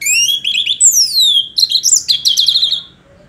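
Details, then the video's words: Orange-headed thrush singing loudly and at length, kept as a songbird in Indonesia: a rich run of clear whistled slurs, a long falling whistle, then quick warbled and trilled notes, varied and high, ending in silence. "Anis Merah GACOR Panjang cocok untuk masteran Burung"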